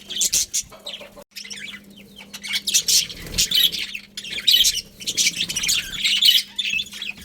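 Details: Many budgerigars in a colony chattering: overlapping warbled chirps and raspy squawks rising and falling in loudness, with a steady low hum behind.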